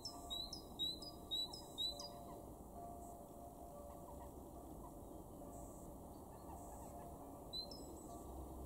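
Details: In a garden at Weener, East Frisia, Germany, in March 2023, a great tit delivers four rapid two-note whistled phrases, pauses for several seconds amid faint background noise, then adds a single phrase near the end.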